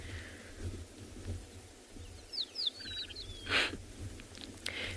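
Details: At sunrise on 5 December in Tswalu Kalahari Reserve, South Africa, among thicker bush as birds wake, a male Rattling Cisticola sings: a few quick slurred whistles sliding downward, then a dry rattle, over low rumble and a breathy burst. Rattling Cisticola.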